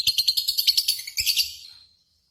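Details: Lovebird contest-simulation chatter, a lure for singing: rapid shrill pulsed trill with about a dozen quick notes, a brief break, then a final burst that fades away.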